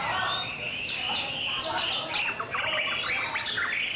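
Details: Displaying white-rumped shama pouring out high whistled notes, quick downward slurs and a dense run of clipped chips near the end, all sung without a break.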